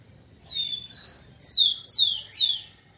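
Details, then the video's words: Song of a rufous-collared sparrow, played to stimulate females: a wavering introductory whistle, then a series of three bright, descending slurred whistles in quick, even succession. Near-silent background. "ESQUENTE seu TICO-TICO no Máximo e ESTIMULE suas FÊMEAS a aprontar!"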